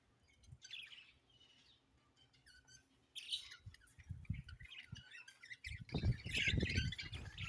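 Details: Budgies chirping: scattered bursts of scratchy, twittering warble come and go, growing into a denser chattering stretch near the end, with low thumps and handling noise underneath.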